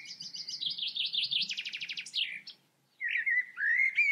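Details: Blackbird singing a fast run of repeated high, chattering notes, about eight per second, then a short pause and a low, fluty, sliding whistle phrase.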